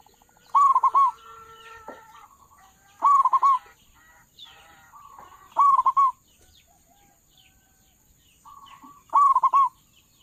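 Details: Loud-voiced local zebra dove, used for luring doves into traps: four phrases of rapid, wavering coos spaced about two and a half seconds apart, with soft trilled notes trailing some phrases.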